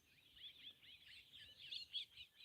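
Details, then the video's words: Pied starlings, over twenty in a flock out in the morning, calling near a meerkat colony and unsettling the young meerkats; dense overlapping chirps and twittering notes, high-pitched and continuous, rising in loudness toward the end. "The pied starling. That's what you can hear in the background."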